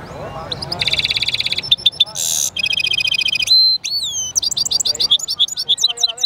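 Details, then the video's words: Song of a European goldfinch mule, packed with fast metallic trills, a harsh buzzy burst, a sustained whistle and upward-sweeping notes, then a jumble of rapid twittering phrases. "European Goldfinch mule singing"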